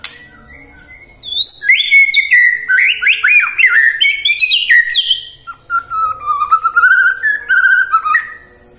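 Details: Song of the white-rumped shama, played to get birds singing in the morning, midday and afternoon: after a quiet start, a fast burst of bright, swooping whistles, then a lower, steadier warbled passage.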